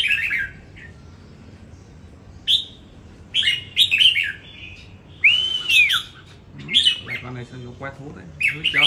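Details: Red-whiskered bulbul singing in a Vietnamese bird-song contest, Đồng Nai: scattered sharp chirpy phrases and one clear arched whistle rising and falling, with faint low human sounds near the end.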